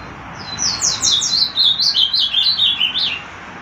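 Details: Ultramarine grosbeak (azulão), a caged bird from Olinda in Pernambuco, Brazil, delivers a loud, rapid song of roughly a dozen sharp slurred notes that step gradually downward over about two and a half seconds.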